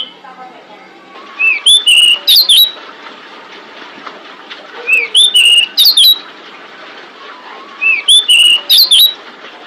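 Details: Female pied bushchat calling to lure males, giving short bursts of high whistled and clicking notes, each burst about a second long and repeated roughly every three seconds over a low hiss.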